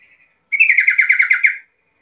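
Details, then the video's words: Sooty-headed bulbul call for drawing answers from other bulbuls: one dense, slightly buzzy chattering phrase of rapid chirps lasting about a second, clean and isolated. "10 macam suara panggilan trucukan gacor PALING AMPUH BIKIN LANGSUNG NYAUT RIBUT trucuk lain"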